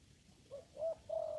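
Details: Spotted dove in a papaya garden where it is being trapped with a lure: three short low coos in quick succession, the last one longer and steady, over quiet background.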